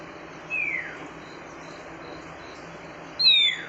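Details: Female oriental magpie-robin calling to stimulate the male: two clear, high whistled notes, each sliding downward, about three seconds apart, against a steady background hiss.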